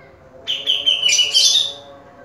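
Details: A caged grey-cheeked bulbul gives a bright whistle that slides into a harsher, higher chattering burst lasting about a second, over a steady low hum.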